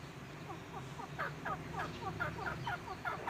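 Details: A Grey francolin (Ortygornis pondicerianus) calls a rapid run of short, clucking, slightly rising notes, about four per second, growing louder midway, over a steady low hum.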